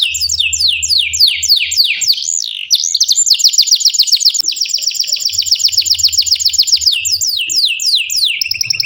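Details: Domestic canary in active, continuous long-rolling song, kept as a tutor recording for young or quiet canaries: rapid trills of sweeping high notes, fast buzzy rolled runs, then descending slurred whistles; faint low hum beneath.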